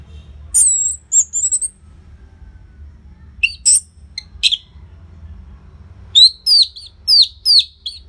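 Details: Orange-headed thrush kept in a cage, singing hard with short pauses as a lure for other birds: scattered high whistles and clicks, then a closing series of rapid, evenly spaced downslurred notes.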